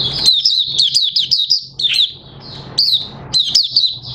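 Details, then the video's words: On 30 August 2022 an Oriental white-eye, new white feathers almost fully pigmented, starts singing. Quick high chirping notes in clusters, a quieter stretch, then more bright downslurred chirps, with a steady low hum behind. "Mata Puteh Raja Buka Sing"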